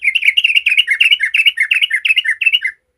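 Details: Sooty-headed bulbul singing in the rapid 'ropel' style, used as a lure to make other bulbuls sing. Fast, unbroken run of bubbly, chattering notes, rising and falling, about five per second, ending abruptly; no other sounds.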